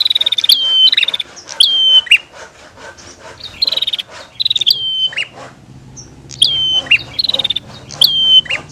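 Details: Bar-winged prinia, female and male calling together: a sharp upward flick leading into a flat whistled note near high pitch, mixed with rapid buzzy ticking trills, in bursts separated by short quiet gaps.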